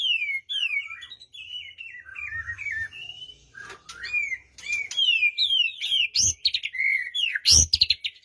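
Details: White-rumped shama singing a varied string of short whistled phrases, played to stir a quiet bird into song; notes slide up and down in quick succession, with occasional sharp clicks and low thumps.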